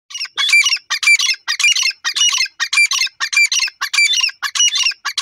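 A pair of francolins calling together: loud, harsh, squawking bursts about twice a second in a steady, rollicking chorus.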